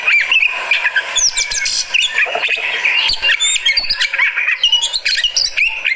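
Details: Fighter Oriental magpie-robin answering another bird with a loud, nonstop jumble of sharp whistles, harsh chatters and quick trilled phrases packed tightly together.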